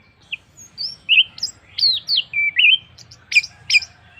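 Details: Orange-headed thrush song used as a lure to get other birds singing: a rapid series of clear, varied whistled notes and slurred phrases, rising and falling in pitch. The notes come in quick bursts over a quiet background.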